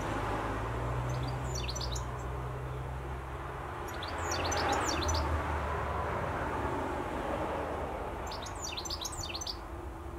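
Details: A European goldfinch in song in Essex gives three short bursts of high, tinkling twitters, about every four seconds, over a steady low rumble of distant traffic.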